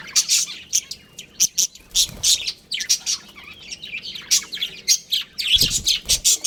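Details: Budgerigars in a colony with a breeding pair: steady stream of short, bright chirps and squeaky twitters, repeated several times a second, a few soft knocks in the background.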